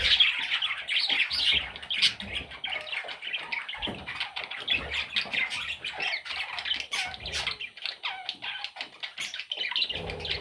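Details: A group of young parrots keeps up rapid scratchy squawks and short piping chirps, densely layered, with occasional quiet clicks.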